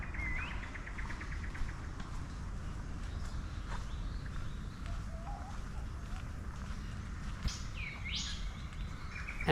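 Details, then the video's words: On a morning bird walk at Samford Eco-corridor near Brisbane, Australia, a Golden Whistler gives a clear rising "wee-o-whip" ending in a sharp whipcrack, a bit like an Eastern Whipbird, over wind rumble and faint chirps. "And that "wee-o-whip" is a Golden Whistler. It sounds a bit like an Eastern Whipbird."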